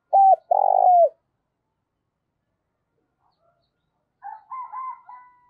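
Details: Spotted dove 'thúc' lure call used in trapping: one short deep coo then a long sustained one, followed after a pause by faint, higher, wavering calls from another bird.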